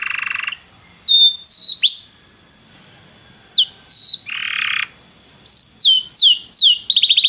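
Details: Belgian canary singing to stir a canary into song: buzzy bursts and sliding whistled notes in uneven phrases with gaps, ending in a rapid rolling trill.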